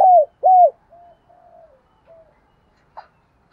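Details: Decoy spotted dove calling in the morning: two loud, arched, low coos that fall at the end, followed by a few faint, soft coos and a brief distant note.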